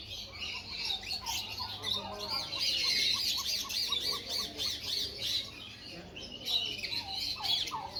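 A sun conure squawks harshly and chatters, with rapid repeated chirps mixed in.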